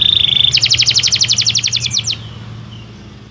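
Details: Canary of the kalitan type singing: a sustained high whistled note, then a fast run of about fifteen evenly repeated sharp chirped notes lasting over a second, fading into a quiet background hum.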